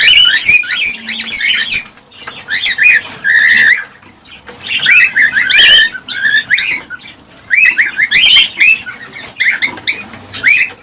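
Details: Cockatiels chattering in bursts, used to prompt mating and breeding: clusters of piercing, wavering squawks and chirps separated by short quieter gaps, with some soft rustling or fluttering.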